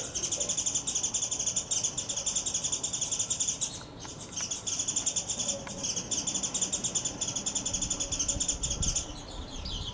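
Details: Japanese white-eye, wild, excitedly and intensely calling after challenging a mated male and losing a fight that sent both to the ground; unbroken high-pitched chattering trill, pausing briefly midway, then resuming to the end.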